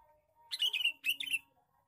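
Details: Male sooty-headed bulbul lure call: two quick, scratchy, bubbling chatter bursts in close succession, with a steady faint tone behind them.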